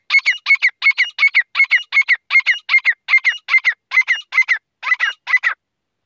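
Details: Grey francolin hunting call: a fast, regular run of harsh, grating double notes, about two or three pairs a second for over five seconds, loud and steady with no other sounds.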